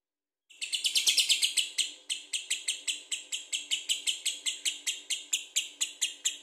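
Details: Lovebird chattering ngekek style, starting with a dense buzzy flurry, then settling into regular sharp harsh chirps repeated about four times per second.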